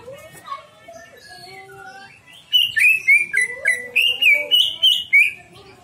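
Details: Greater green leafbird (cucak ijo) song played as a lure to draw out a full repertoire: after faint mixed notes, a run of about ten loud, clear whistled phrases repeats rapidly, each rising then falling.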